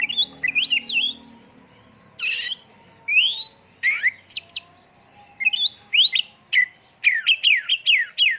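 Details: Oriental magpie-robin (kacer) song used as a pancingan lure, full isian with tembakan bursts: varied whistled and slurred phrases, rising and falling sweeps, a rough burst near two seconds, ending in rapid repeated whistled notes.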